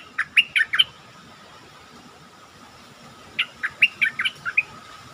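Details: Caged stripe-throated bulbul singing to lure birds: two bursts of rapid bubbly notes, the first of four and the second of six, about three seconds apart, over a steady background hiss.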